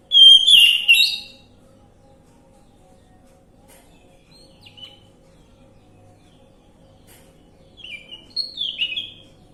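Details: Orange-headed thrush song played as a lure to coax a silent bird into singing: a loud whistled, warbling phrase at the start, then near silence, then a few softer, short whistled notes and twitters near the end.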